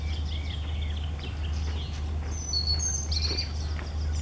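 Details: European robin in song: a few clear, arching whistled notes open the phrase, then a quick run of piercing, sliding high notes and a thin trill, over a low steady hum.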